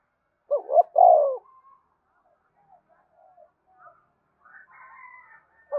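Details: Spotted dove song meant to stir captive birds to call all day: one phrase of short hooked notes and a long falling coo, then faint quiet notes and a thin distant twitter before the next phrase starts.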